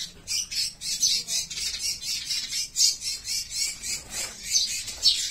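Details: Fighting sparrows (pichuka) give rapid harsh squawking chirps in a steady pulsing stream, about every half second, with several birds overlapping.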